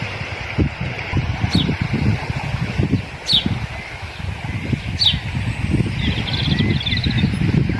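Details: A hungry American dipper, swimming and fishing, gives three sharp, high, downslurred call notes about two seconds apart, then a brief twittering run, over loud rushing stream water.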